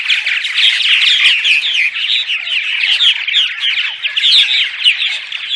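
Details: Purple martins give daytime chatter in a dense colony, many birds overlapping in gurgling, creaky warbles and chirps that rise and fall without pause; no other clear sounds.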